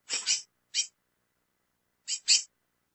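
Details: Female lesser seed finch calling a lot: four short, harsh, high chirps in two pairs, the first pair at the start and the second about two seconds later, against a silent background.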